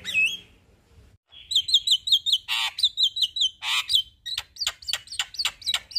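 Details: Male Javan myna pouring out a long rolling song: a short whistle, a pause, then a fast chain of bright looping whistled notes broken by two rough rasping bursts, ending in sharp clicky chips.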